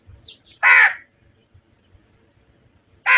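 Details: Crow calling, described as a flock and fighting crows: a single loud, grating caw followed by silence, then another harsh caw begins at the very end.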